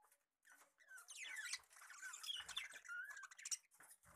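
A flock of budgerigars chatters at once, a busy mix of high chirps, squeaks and warbling notes.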